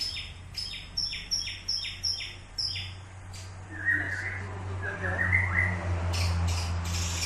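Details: White-rumped shama in a training session: a rhythmic series of short high double whistles repeated about twice a second, then softer warbled notes over a loud low hum.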